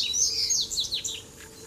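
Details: Double-collared seedeater in a fighting duel with three birds present; a short, loud burst of high whistled notes and quick downslurred chirps, fading toward the end.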